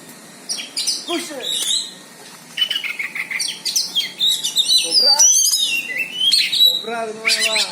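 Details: Oriental magpie-robin facing an opponent, giving a rich song of high sliding whistles, buzzy trills and quick chirps. A few lower harsh notes are mixed in.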